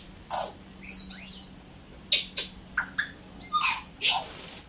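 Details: Native tui of New Zealand giving harsh wheezy bursts, a sliding squeaky whistle and short clicking notes at uneven spacing, with a faint low hum beneath.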